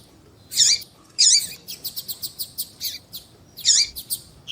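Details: Female and male double-collared seedeater, sounds for warming up a male coleiro: two loud harsh high chips, a quick train of short clicking notes, then another harsh chip.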